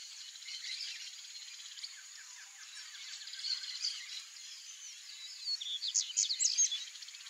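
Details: A male double-collared seedeater gives a fast, high twittering song of quick chirps and trills, growing louder near the end, over a steady insect-like hiss.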